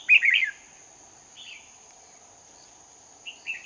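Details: Red-whiskered bulbul used as a lure while trapping in Hòa Bình, 18 November 2019. A bright, slurred warble opens, then brief quieter notes follow after pauses, over a steady high whine.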